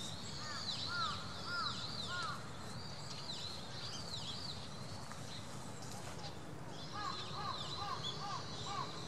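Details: Eurasian teal calling: soft, arching whistled notes in short runs at the start and end, over steady broadband background noise.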